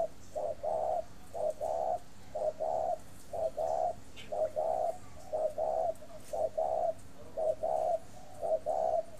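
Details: Caged breeding spotted dove at a bird farm in Ba Vì, Hanoi, Vietnam, cooing steadily: a short low note followed by a longer, fuller coo, each pair repeated about once a second in a continuous run.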